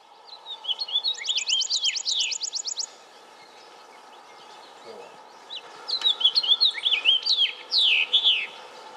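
A house finch gives two bursts of warbling, jumbled song, high and bright with a fast buzzy trill in the first phrase, over a steady low hum.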